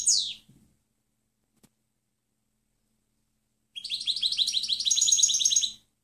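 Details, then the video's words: European goldfinch, clean song for training other birds. A brief descending high note opens, then silence, then a dense, rapidly repeated trill of bright tinkling notes lasting about two seconds over a faint low hum. "Canto del Jilguero Limpio Chant chardonneret"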